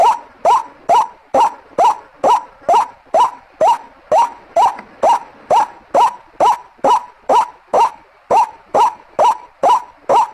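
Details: Repetitive lure call of a white-breasted waterhen: around 23 short, grating, upward-inflected croaks with a steady beat across ten seconds.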